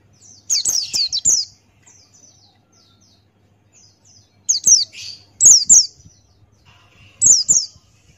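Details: White-eye, Buxtoni type, singing with beak open: a rapid string of high, slurred-down tweets, a long pause, then further pairs of bright piercing notes.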